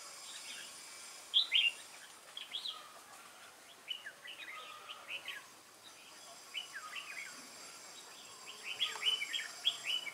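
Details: Wild-caught red-whiskered bulbul recorded 22 October 2018, singing in contest style: short, bright, warbled phrases rising and falling, loud bursts near the start and end with quieter notes between, over a steady faint background hiss.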